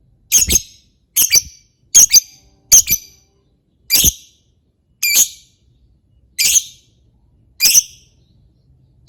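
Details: Lovebird calls used as a lure for other lovebirds: harsh, high, squawking notes given singly about once per second, each a short raspy burst with a fading tail, with brief silences between.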